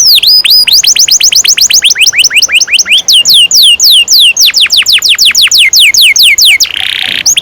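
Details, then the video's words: Canary performing a long 'ngerol panjang' roll for training young canaries: many fast downward-swooping whistled notes in steady succession, changing tempo several times, then ending in a brief harsh buzzy burst. "Kenari gacor NGEROL PANJANG cocok untuk PANCINGAN KENARI PAUD"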